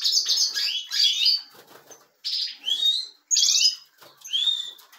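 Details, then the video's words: Captive European goldfinches in a breeding room, several birds livening up: bright twittering phrases mixed with buzzy, nasal notes and high tinkling trills, broken by short pauses, with soft flutters between bursts. "jilgueros y mas jilgueros"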